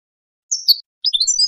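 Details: European goldfinch song, played to train songbirds and stimulate breeding goldfinches to mate: a short fragment with a high slurred note, then after a pause a run of quick, bright twittering notes, on an otherwise silent background.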